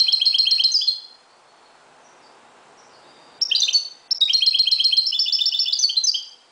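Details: A Moroccan goldfinch's dawn song: rapid, metallic, tinkling trills of high notes, pausing about two seconds before a longer, rolling twittering phrase.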